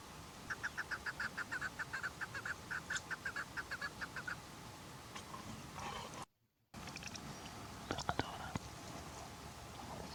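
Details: Chukar partridge producing a fast series of short clucking notes for about four seconds, then quiet with scattered clicks and a brief dropout in the sound.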